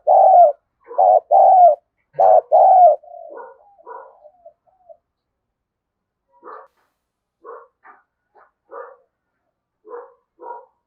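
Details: Spotted dove calling as a decoy to draw wild doves in quickly: loud deep coos in paired bursts at the start, fading into scattered, softer, broken notes spaced a second or more apart.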